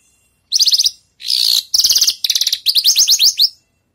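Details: Post-moult Javan bush lark practising song phrases: a fast high trill, a buzzy rasp, two pulsing rattles, then a row of clear rising-and-falling whistled notes, three seconds of steady singing.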